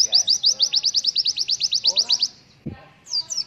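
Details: White-eye 'pleci killer endoktatto' song with 'tembakan' shots, meant for tutoring young birds: a quick string of about twenty sharp high chirps over two seconds, a short gap with a low thud, then the chirps start again.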